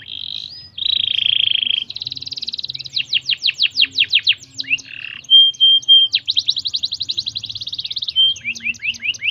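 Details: Canary song used to stimulate other canaries: loud, varied phrases of sustained whistles and rapid repeated trills, notes sweeping downward in quick series, with a steady low hum underneath.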